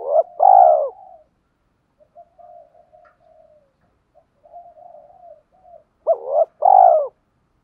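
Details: Spotted dove giving loud low paired coos, then soft murmured cooing, then a second pair of strong hooting coos.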